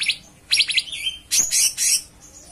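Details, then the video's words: Cucak cungkok in energetic song: a brief high note, then a rapid trill of three rising whistles, followed by longer harsh, buzzy high phrases. "Gacoran Burung Cucak Cungkok Istimewa"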